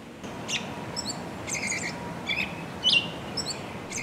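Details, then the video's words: American Robin giving sharp, high-pitched "peek" calls, about seven quick bursts in four seconds, over a steady low background rumble; such peek calls often signal predators' presence, pitched to be hard to locate. "Robins have a variety of calls, including alarm calls, tut calls, and whinies."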